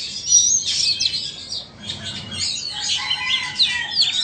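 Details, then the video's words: Two Oriental magpie-robins, Vietnamese against Indonesian, in a singing contest. A loud, sharp whistled opening gives way to a brief dip, then to sweeping, slurred whistles and warbling phrases. "Chòe than VN đấu với Chòe Than Indo"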